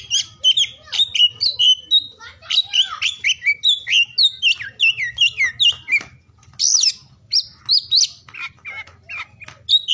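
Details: Oriental magpie-robin in full song through the day, played to prompt mute or lazy birds to sing: long fast sequence of sharp whistles and chirps, a short gap near the middle, then higher ringing notes.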